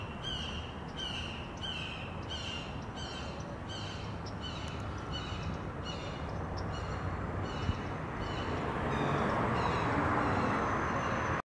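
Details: Red-shouldered hawk on 15 February 2023 giving a rapid series of about a dozen loud, harsh kee-ah calls, two per second, fading toward the end, with echo and steady background rumble.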